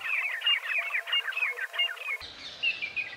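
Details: Male Oriental magpie-robin singing at dawn near Satpura in Central India: a varied run of rich whistled and warbled phrases, shifting in pitch and repeated at an uneven pace, with a brief cut partway through.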